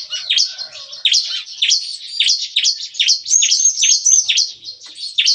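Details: Morning nembak-nembak song of captive bar-winged prinias in a breeding cage: evenly spaced, sharp, downslurred high chirps about three per second, with a faint lower trill early on.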